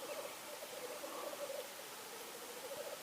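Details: Black grouse (Lyrurus tetrix) gives low, bubbling, dove-like cooing in soft rolling phrases over a steady wind- or water-like hiss; Norway, 8 May 2019.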